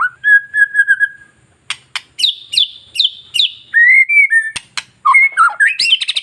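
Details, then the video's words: Long-tailed white-rumped shama song for stimulating other shamas: a steady fluty whistle, then a series of sharp descending high notes repeated about twice a second, then wavering whistles and quick twittering. "MENINGKATKAN EMOSI BURUNG MURAI Dengan Suara murai batu ekor panjang"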